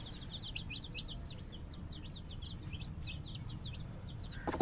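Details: Baby chicken chicks peeping continuously: a rapid stream of short, high, down-slurred chirps, several overlapping callers, over a steady low rumble of background noise, ending with a sharp knock.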